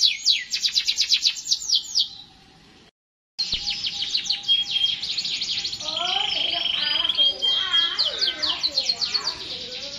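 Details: Canary singing continuously: quick high rolling trills break off into a brief silence, then resume with a dense trill, a steady whistled tone and lower overlapping chirps from several birds.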